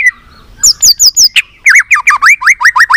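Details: White-rumped shama singing many voices, played to stimulate other shamas: a long whistle, a run of four high chirps, then a quick series of rhythmic, bouncy downward-and-up whistled notes repeated about ten times.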